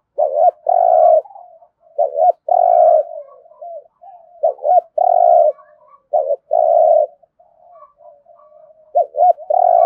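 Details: Spotted dove in the "thổ rền" style, a rolling, resonant voice, cooing in repeated phrases: short hooked notes then a long steady coo, about every two seconds, with soft trailing murmurs between phrases.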